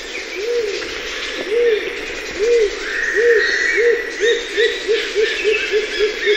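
Rose-crowned fruit dove giving low, arched coos that speed up and shorten into a rapid bouncing series; other birds whistle faintly higher up.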